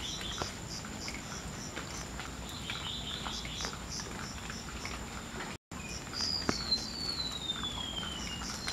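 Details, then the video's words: A single high, thin whistle from a wild Golden-bellied gerygone near the end, gliding smoothly downward, after several seconds of insect chirping and faint rural background noise. "Kicauan burung remetuk laut di alam"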